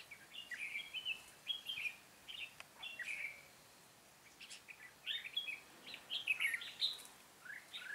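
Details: Red-whiskered bulbul singing on a trapping day, 13 March 2017: repeated short, warbling whistled phrases in quick clusters separated by brief gaps, with a few sharp clicks and faint background hiss.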